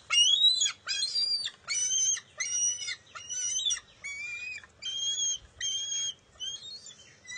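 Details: Bald eagle nest, June 23, 2021, where an eaglet competes with its mother over a fish: a steady series of ten shrill, whistled squeals, each about half a second long, spaced under a second apart.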